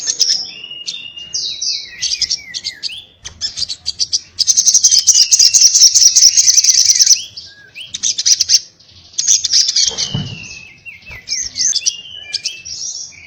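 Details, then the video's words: Crimson sunbird in prolonged excited 'ngobra' chatter: high slurred whistles and squeaks, then a long, loud, rapid buzzy trill of ticks, followed by more twittering phrases and thin whistles. "sogon gacor ngobra TARUNG NGALAS TAJAM"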